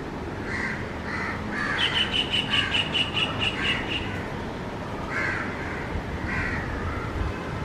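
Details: Young white-throated kingfisher calling to its parent, with an adult kingfisher calling in the background: harsh, buzzy notes repeated in short bursts, and a quick run of evenly spaced higher whistled notes over a noisy outdoor backdrop.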